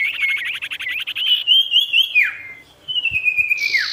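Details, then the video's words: Sirtu in full gacor voice to lure wild opponents; a fast rippling trill leads into long level whistles that each end in a steep downward slur. "SIRTU GACOR BIKIN EMOSI BURUNG LIAR | Full Variasi Alam"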